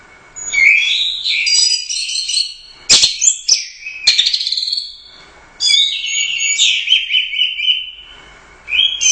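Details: Royal Cup champion orange-headed thrush, a competition songbird, singing gacor teler doyong. Bursts of fast, rich warbling whistles and crackling notes come in long phrases separated by short pauses, broken by sharp clicks.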